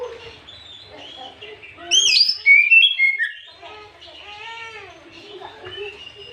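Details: Afternoon song of an Oriental magpie-robin used to provoke other birds: quiet warbles, then a loud run of sweeping whistles and chirps, followed by softer drawn-out harmonic notes.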